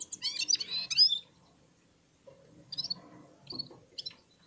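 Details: Red-fronted serin warming up amid other birds: a second-long burst of rapid high twittering, then quiet, then a few short scattered chirps.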